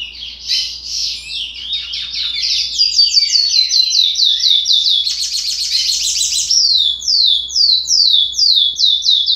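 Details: Chestnut-bellied seed finch chick at 60 days, song still undefined: dense, fast series of high descending slurs, growing louder, with a buzzy patch near the middle and evenly spaced strokes toward the end.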